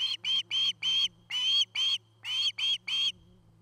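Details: Osprey at its nest in Charlo, Montana, picked up by a nest camera in 2018: nine clear, whistled chirps in about three seconds, bright and slightly rising, with short gaps between them over a low steady hum.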